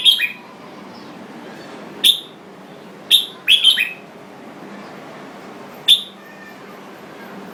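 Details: Jambul bird produces loud, abrupt chip notes, some in a quick double or triple burst, separated by gaps of about one second, against faint steady background noise.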